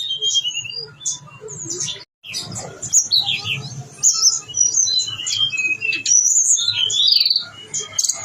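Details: A blue-winged leafbird, known as tledekan gunung, in strong full song with all its mimicry: varied high chirps, whistles and short trills in quick succession, with a brief silent gap.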